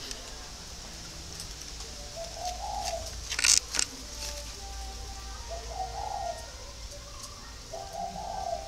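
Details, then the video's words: Captive parent spotted doves give soft, low, throaty coos in short phrases a few seconds apart, with a brief sharp clatter and faint hiss, while young birds are sunned at 9 am in Ba Vì, Hanoi, Vietnam; finding: Spotted dove. "Đấy là những con chim bố mẹ nó đang gáy."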